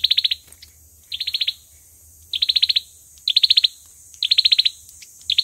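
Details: Olive-backed sunbird used for trapping, singing its fighting song: six short rattling bursts of high, rapid notes about one second apart, against a faint hiss.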